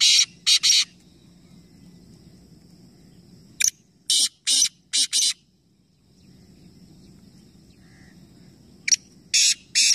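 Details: Three black francolins calling at once in a competition near Nawabshah, Pakistan: repeated harsh, grating phrases of several buzzy bursts separated by quiet gaps, with a steady low hum in the background.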